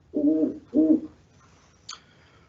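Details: A captive female great horned owl, a somewhat vocal resident of an Ohio educational bird program, gives two deep, muffled hoots about half a second apart, then a faint, brief high squeak in a quiet room.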